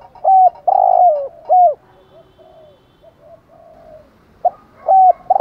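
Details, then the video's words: Spotted dove lure recording, 'thúc gù' and 'gáy gọi': a burst of hooked coos and a long drawn coo, a stretch of soft low murmuring coos, then loud coos resuming at the end. "chim cu gáy kích bổi thúc gù + gáy gọi. tiếng chim cu cườm gù thúc bài bản ra nhiều bài"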